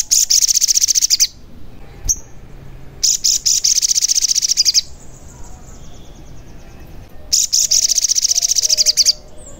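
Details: Sogon song used to stimulate caged birds that will not sing and to lure wild birds closer: three bursts of very high, rapid buzzy trilling, each about one to two seconds long, separated by brief pauses with a faint single chip between.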